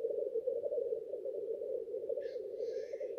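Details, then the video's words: Continuous low bubbling rookoo of lekking male black grouse in courtship display, with a harsh hissing sneeze rising over the murmur near the end. "Black grouse lekking behaviour"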